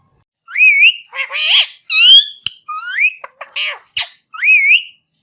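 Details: Rose-ringed parakeet, also called Indian ringneck parakeet, giving a run of loud whistled calls: rising and wavering squeals alternating with harsh buzzy screeches, about eight notes in five seconds, with no other sounds.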